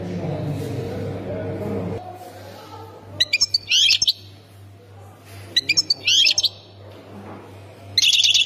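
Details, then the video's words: European goldfinch of the Khemis Miliana song sector, Ain Defla province, Algeria: short bright twittering bursts with sharp ticks, about three phrases spaced a couple of seconds apart, after low rumbling background noise at the start. "مقنين سكتور خميس مليانة ولاية عين الدفلى"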